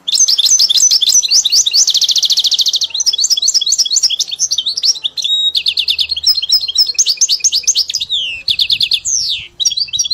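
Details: Caged European goldfinch singing a tutored song learned from a hybrid: continuous high twittering, liquid trills and fast buzzing rolls, with rising and falling slurred notes, unbroken for ten seconds.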